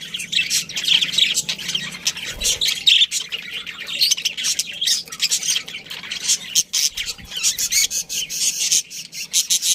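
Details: Breeding colony of budgerigars fills the air with continuous high chattering, tweets and harsh squawks from many birds at once, with a low knock and rustle partway through.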